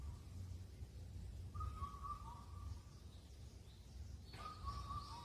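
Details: Indian cuckoo from Cheonmasan, Incheon, Korea, known for calling all night as spring ends: one full four-note whistled phrase with a dropping last note, then the next phrase beginning after a brief click, over low background rumble.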